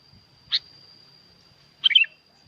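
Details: Lively sooty-headed bulbul from Curug Agung in Subang, West Java, Indonesia, used to prompt silent birds: a single sharp note, a pause over a second long, then a quick chattering phrase of falling notes. A thin constant high whine sounds throughout.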